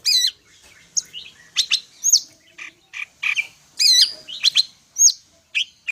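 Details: Medan greater green leafbird singing mimicked phrases, wavy trilled notes alternating with short harsh squawks and bright chirps, about two calls a second at an uneven pace.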